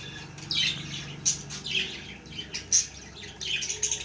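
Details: Baby budgerigar calling indoors: short, scratchy high chirps and squawks in loose bursts, with sharper peaks near 1.3 and 2.7 seconds over a faint low hum.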